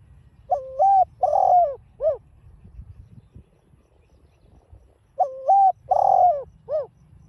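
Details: Spotted dove coos, mixed field voice for stirring a caged bird to call. Two matching three-part phrases about five seconds apart: level coo, drawn-out falling coo, and a brief curved final note.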